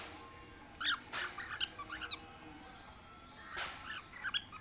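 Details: Cockatiel in a breeding box giving short, scratchy chirps in uneven bursts with brief gaps between them.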